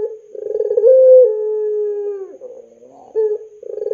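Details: Barbary dove of the pelung type, a tutor call for young doves: a pulsed rolling start, a brief higher note, then a long falling coo, a soft wavering pause, and a new rolling phrase.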